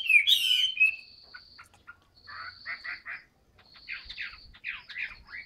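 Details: Caged Chinese hwamei opening with a loud descending whistled flourish, then quieter spaced chattering notes and short buzzy bursts, with a thin steady high tone running through.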